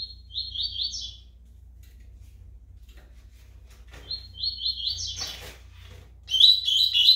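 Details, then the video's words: Double-collared seedeater in brown (pardo) plumage repeating a rolling, buzzy high trill, silent for several seconds, then trilling again and ending in a bright, loud twittering burst. "COLEIRO PARDO CAPONE SOLTANDO CANTO"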